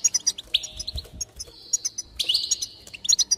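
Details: Goldfinch singing, played to stimulate other goldfinches to sing: rapid high twittering with bright chirps and long buzzy trills holding steady, one starting near the middle and another rising near the end.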